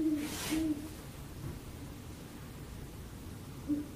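Great Horned Owl giving deep, soft hoots: two quick ones at the start, a long pause, then more near the end. A brief rush of noise comes early.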